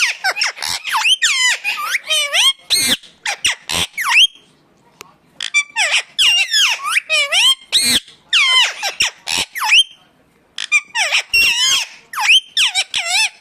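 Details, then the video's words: Indian ringneck parakeet giving natural calls, likely indoors: bursts of harsh, high, harmonic squawks and sweeping whistled notes, with brief quiet gaps near four and ten seconds and a few sharp clicks. "ringneck 🦜 natural sound"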